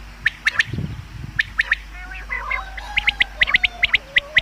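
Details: Common quail call, a sound used for hunting: short sharp notes grouped in twos and threes, repeated steadily, with a brief low thump early and a faint nasal buzzy sound mid-way.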